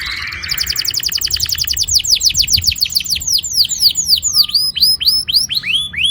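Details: Young canaries are prompted to sing by this long rolling canary song: a dense rapid trill that slows into looping swooping whistles, each note sliding down then up, repeated several times a second.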